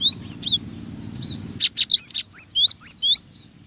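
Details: Cinereous tit giving scattered high whistled notes, then a brief flutter of wings followed by a run of evenly spaced, sharp upslurred whistles, over low background hum.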